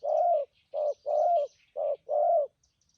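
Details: Spotted dove decoy bird with a strong voice, thổ and thúc gù cooing: deep, rounded coos in a steady long-short pattern, five notes in quick succession, light small-bird twitter in the background.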